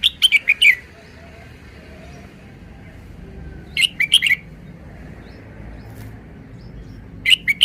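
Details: Red-whiskered bulbul song: a lively burst of five or six clipped, whistled notes, then a pause of about three seconds before a similar phrase, and another starting at the end; faint low rumble behind.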